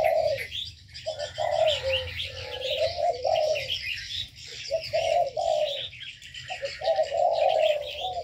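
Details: Caged aviary birds: bouts of low throaty cooing, broken by brief gaps, under a constant chatter of high chirps and tweets.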